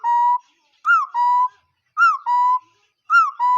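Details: Two-part bird call: a short arched whistle followed by a lower, level held whistle. The pair repeats about once a second, three times, with clean silence between.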